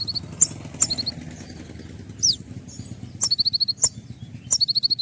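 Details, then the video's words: Konin in moult singing 'tembakan' shot-like phrases: single sharp high chirps, then quick runs of five or six clipped notes. Steady low rumbling background noise runs throughout. "dengan suara tembakan seperti ini pasti bikin kelas kicau koninmu melecit tinggi"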